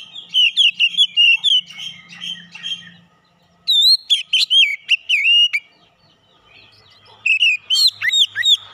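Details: Oriental magpie-robin song used as therapy for untrained birds to bring out fighter character: loud, clear whistled phrases with sliding and warbled notes in three bursts separated by short pauses, a faint low hum underneath.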